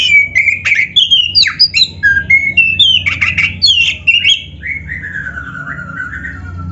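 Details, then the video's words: Oriental magpie-robin of the black-breasted form in vigorous canary-filled song for tutoring: looping whistled phrases and crisp chatters, closing with a long, smoothly descending whistle. "MASTERAN KACER GACOR FULL ISIAN MEWAH KENARI⁉️ || BURUNG KACER DADA HITAM COCOK buat PANCINGAN‼️"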